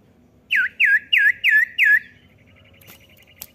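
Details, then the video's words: A common iora gives five quick, clear down-slurred whistles, about three per second, then falls silent over a faint low hum and a couple of soft clicks; used as a quick lure call. "cepat pancing bunyi cipow bahan"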